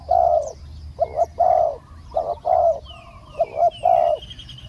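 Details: Cooing of a spotted dove kept as a decoy to catch a wild bird with a small voice, which came down only after a long time; loud, low paired coo phrases repeated rapidly, thin chirps above.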